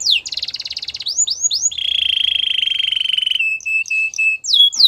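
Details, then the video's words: Canary singing a varied phrase: a fast high trill, three swooping whistles, a long buzzy lower roll, then short piping notes and a final swoop. A faint low rumble is in the background. "Canary bird sounds | Your canary will sing a lot"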